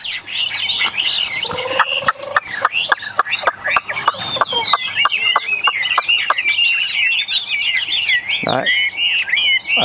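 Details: Chinese hwamei kept in a cage among eight newly arrived tame birds, singing varied warbled slurs over a run of sharp rhythmic clicks and rattles, with a low descending note near the start and a man talking nearby.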